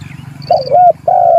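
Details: Spotted dove calling out to a rival, giving a rolling two-part coo followed by a long, level, drawn-out coo, with a faint high tone and low background hum.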